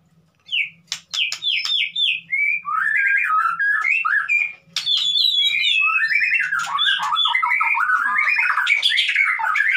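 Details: White-rumped shama singing a rapid 'konslet' style song, used as a lure to get silent shamas singing: fast tumbling varied whistled and chattering phrases, almost continuous after a few brief opening notes, over a steady low hum.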